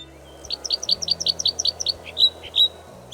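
Red Crossbill giving a quick series of sharp, high chip notes, about ten in under two seconds, then a few louder, drawn-out notes; faint low hum underneath.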